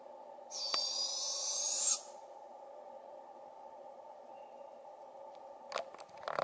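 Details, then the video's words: A juvenile Barred Owl in a British Columbia forest gives one breathy, rasping screech lasting over a second while calling for its parents. Faint rustling follows near the end. "Juvenile Barred Owls Calling"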